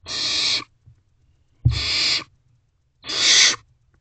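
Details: Owlets of barn owls in a nest box at night, 21 May 2023, sibling tearing at a rodent; three long hoarse hissing screeches, the middle one opened by a sharp thump, with quiet gaps between.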